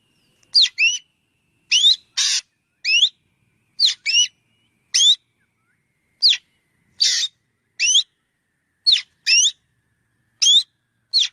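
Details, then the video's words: Black drongo call series: many rising whistled notes, often paired, interspersed with harsh buzzy rasps, repeated steadily over several seconds in a quiet setting. "tiếng chim chèo bẻo kêu"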